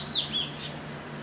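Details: Chestnut-tailed starling (Sturnia malabarica) at Goa University, 15 January 2016: two quick, thin, high chirps in close succession, then a brief hiss of noise over a low steady hum.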